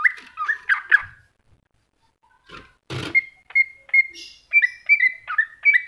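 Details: Greater green leafbird in masteran style: a jumble of buzzy slurred notes, a pause broken by one loud broadband crack, then a steady series of short bright whistles repeated about every third of a second.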